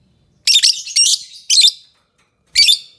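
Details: Lovebird giving shrill, buzzy chattering chirps in short bursts: three quick bursts close together, then one more after a pause of about a second, with no other sounds.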